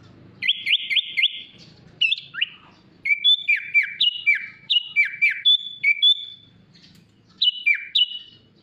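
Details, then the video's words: Sooty-headed bulbul (kutilang) masteran recording of 'isian mewah' fill-in song: a quick run of short repeated notes, then a string of loud whistles each sliding steeply downward, a few seconds of quiet, then two final slurred whistles. "MASTERAN KUTILANG ISIAN MEWAH 💯 Bikin Kutilang AUTO MEWAH"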